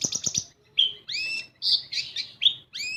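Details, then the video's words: Kolibri ninja sunbird, a lure to make raw birds start singing: quick high ticking notes, then separated sharp chirps and upward-sweeping whistles, each note brief and bright, with a short faint low tone. "Pancingan Kolibri Ninja Bahan Agar Bunyi"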